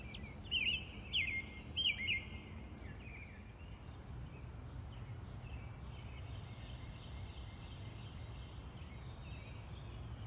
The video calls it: The peaceful sounds of the Robin bird